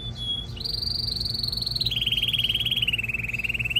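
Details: Strong canary song used to ready a female for breeding and to teach chicks: brief whistles lead into long, fast, pulsing trills, one high and steady, then dropping lower and rising again, over a faint low hum.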